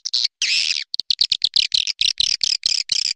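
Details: Swiftlet lure call used to attract birds: dense series of buzzy, chattering twitters, high-pitched and repeated in quick pulses with brief gaps.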